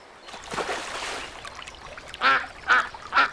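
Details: Splashing water at first, then three sharp, nasal duck quacks at the end.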